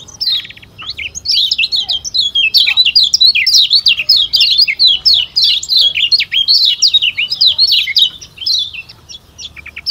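A Lombok white-eye sings a fast, unbroken warble of high, sweet twittering notes that dart up and down for the full ten seconds. No other sounds are heard.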